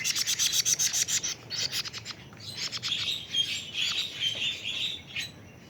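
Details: A 41-day-old plaintive cuckoo opens with a steady stream of rapid, dry, high chattering pulses that fade into softer, wavering buzzy notes.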